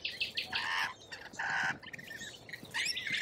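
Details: Lorikeet in Australia giving harsh, buzzy screeches in short bursts. A rasping squeal sits around half a second in, and a longer grating call falls near the middle, with quieter chatter between.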